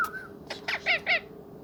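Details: Talking pet ringneck parrot gives a thin level whistle followed by four short, harsh squawks in quick succession, indoors.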